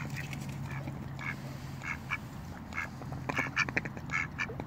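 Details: Female mallard of a pair quacks to warn away intruding ducks: nasal, harsh quacks in short irregular bursts, several quick ones clustered near the end, over a steady low hum.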